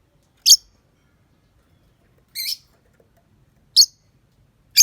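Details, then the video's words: Morning lovebird lure sound: four separate sharp, high chirps spaced about a second or more apart, with near-silence between them. "Pancingan Suara Love Bird - Untuk Pagi Hari"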